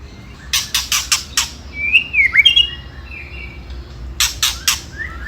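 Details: White-rumped shama singing to provoke rivals: a series of sharp clicking ticks, then a brief burst of slurred whistles, then more ticks and soft rising notes at the end.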